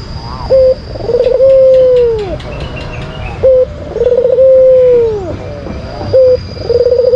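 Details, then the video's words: Repeated white collared dove lure song from Indonesia: a short abrupt coo, then a long, steady coo with a slight trill that sinks at its close, cycling roughly every two and a half seconds over a faint high hum. "Pancingan Puter Putih Terampuh , Full Gacor"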